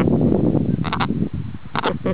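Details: Pet macaw laughing at his owner: two short bursts of harsh, laugh-like "ha-ha" notes, each a pair of quick hoarse syllables, while a person talks in a low voice.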